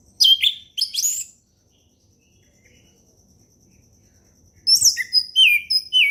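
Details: Forest orange-headed thrush in relaxed ngeplong song: two loud high slurred whistles, a long quiet gap with a faint thin tone, then a fast series of varied whistled and downward-sliding notes.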